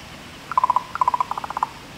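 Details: Female common raven giving her territorial call on 24 August 2023, defending territory beside neighbouring ravens: rapid hollow knocking notes in three quick runs of four to six pulses, with a quiet steady background.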